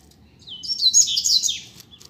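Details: A rusty-collared seedeater, part of a pair kept outside on a street, delivers one brief rushed flourish of high, bright chattering notes, rising from a thin whistle into a dense twitter.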